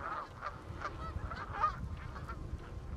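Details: Canada geese flying towards Exmoor in West Somerset in autumn; a run of honks about every third of a second, partly masked by low wind rumble.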